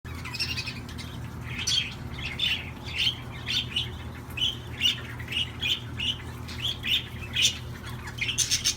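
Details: Budgerigar song: a steady run of short, bright chirps and squeaky notes repeated roughly every half second, warbling on throughout over a constant low hum.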